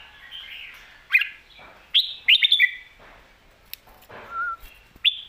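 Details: Professional competition Red-whiskered bulbul kept in a cage, alternating lak wai and mae bot song styles; short, separated bursts of sharp, liquid chirps and a brief whistled note, with soft faint chatter between phrases.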